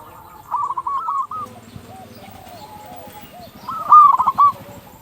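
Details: Actively singing local zebra dove, meant to prompt other doves to sing: a soft opening trill, a pause with faint distant coos, then a loud run of quick, clipped notes.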